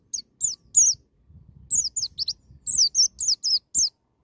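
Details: Rapid 'nembak' wild-style white-eye singing, meant to trigger young birds to sing: short bursts of very high, slurred descending tweets, a brief low rustle in between, then a dense string of bright chirps.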